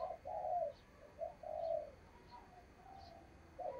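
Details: Decoy spotted dove cooing to draw in wild doves for trapping: a few soft, drawn-out hollow coos over a steady hiss of background noise, with faint high clicks.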